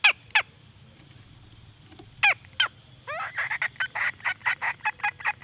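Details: Red junglefowl hen uttering a few loud, slurred squawking notes spaced apart, then breaking into a rapid, steady series of harsh clucks.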